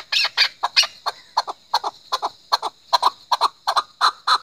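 A chukar gives harsh, clucking chuk notes in quick pairs and triplets, about two or three per second, rising into a steady rhythmic chatter.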